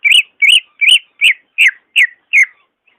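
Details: Greater green leafbird singing, used to coax reluctant leafbirds into song: seven loud, rich whistled notes, each rising then dropping, spaced about every 0.4 seconds before trailing off, in a quiet setting.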